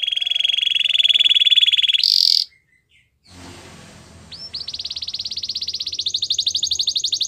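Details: Canary training song: a long rolling trill with a high harsh burst, a brief silence, then an upslurred note leading into a steady high fast trill that rises slightly.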